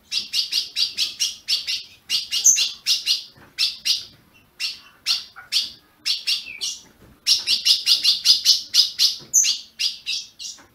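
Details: Captive azulão (ultramarine grosbeak) from Brazil, chirps for warming up a caged bird: long bursts of rapid, evenly spaced high chips broken by short pauses, bright and clean.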